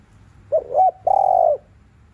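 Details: Cooing spotted dove in the afternoon, 'thúc liu riu' style used to excite other doves into calling: a wavering opening coo, brief gap, then a longer smooth steady note ending with a slight drop.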